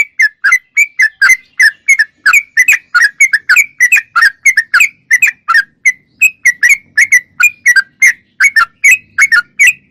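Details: Lively sooty-headed bulbul song lasting almost ten seconds, with a steady stream of short, bright whistled notes, some doubled, delivered at an even, busy pace against a silent background.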